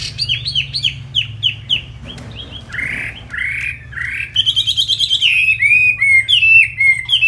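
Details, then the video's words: Chinese hwamei in full song: quick downslurred whistles, then fuller buzzy slurs, finishing with rapid trilled and warbled runs above a faint low hum. "Tiếng hót chim hoạ mi"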